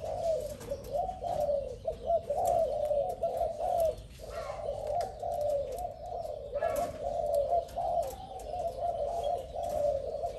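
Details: A spotted dove, described as new and fierce, gives low, throaty cooing phrases almost without a break for ten seconds, each phrase a wavering coo, with faint clicks and background noise.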